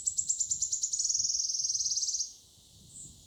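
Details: Characteristic song of a Wood Warbler, mid-Wales nature reserve, June 2024: a fast, high-pitched stuttering run that blurs into a sibilant trill lasting about two seconds, then quieter, with a distant high note after.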